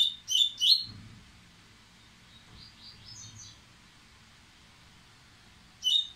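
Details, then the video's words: An excited Dubois's seedeater working up to sing gives three rapid bright whistled notes, falls mostly silent apart from faint high twitters, then returns with another pair of sharp whistles at the end. "Coleiro Baiano Ardesiaca, impetuoso, aprontando!!!!!"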